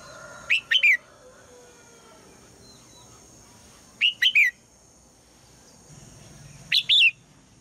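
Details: In the morning a female red-whiskered bulbul calls to set the male singing: three phrases of quick, rising-then-falling whistled notes spaced about three seconds apart, over a steady faint high hum.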